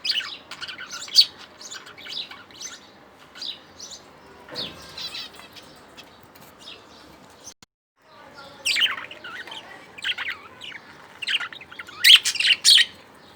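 Budgerigars chatter with quick, high, scratchy chirps and warbles in irregular bursts.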